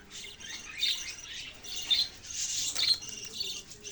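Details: Budgerigars chirping in a continuous, busy chatter of high twittering notes with a few louder squawky peaks, several birds seemingly calling at once.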